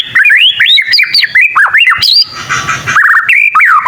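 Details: Young white-rumped shama practising song: quick sequence of clear, looping whistles and chips, broken by a brief harsh rasping burst before the whistled phrases resume.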